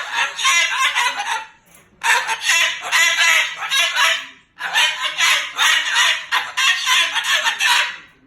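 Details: Moluccan cockatoo, upset about an overnight stay, cursing loudly. Harsh, buzzy outbursts come in three long bouts, each a stream of rapid rough syllables.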